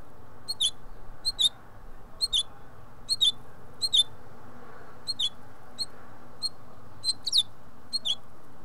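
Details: In the nest, five house finch hatchlings repeat thin, piercing high squeaks at a fairly steady pace of roughly one per second, with a soft hum of background noise throughout.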